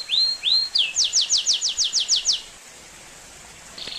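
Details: Belgian canary singing: two high upslurred whistles, then a rapid trill of about ten sharp descending notes, high and bright, ending abruptly before a quiet pause.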